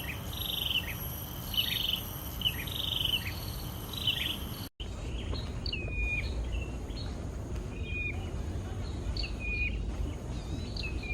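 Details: Hill prinia from a wild breeding pair: clear, high, sharply repeated notes about every 0.7 seconds, a brief break, then varied downslurred phrases, with a steady insect-like hiss and low background rumble.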